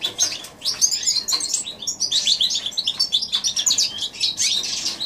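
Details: January 2016 recording of a goldfinch crossed with a canary, delivering a lively run of high chattering twitters and short trills, briefly dipping before resuming in dense, tinkling phrases.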